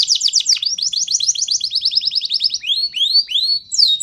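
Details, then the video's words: Panda canary singing to stimulate other birds, a rapid high trill of repeated notes followed by slower, rising whistled sweeps and a final sharp downward note. "gacoran burung kenari panda bikin respon"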